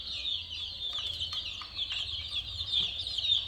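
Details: Chicks peeping continuously in a dense, high-pitched chorus of overlapping chirps with no clear rhythm, many birds calling at once.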